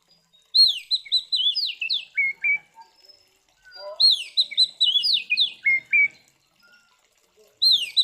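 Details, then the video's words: An Oriental magpie-robin sings loud, varied whistled phrases with sliding notes and sharp chatters in two bursts a few seconds apart, then starts again; a fighting song used to provoke other magpie-robins. "Suara Burung KACER GACOR Ngeplong TARUNG Konslet ini Paling Ampuh Buat Pancingan Kacer Biar Emosi"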